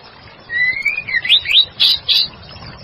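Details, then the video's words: A female murai batu, or white-rumped shama, used as a lure, whistles a long rising note, then twisting looped slurs, finishing with two loud harsh chattering bursts. "Pancingan Murai batu betina gacor"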